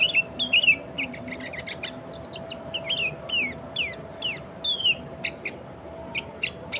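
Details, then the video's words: Sooty-headed bulbul singing actively, meant to draw rival and wild bulbuls: bursts of quick chirps and bright downslurred whistles, irregularly spaced, with a low steady hum underneath. "Kutilang Gacor Suara Asli Tanpa Isian, Sangat Cocok Untuk Pancingan Kutilang Bahan Dan Ombyokan."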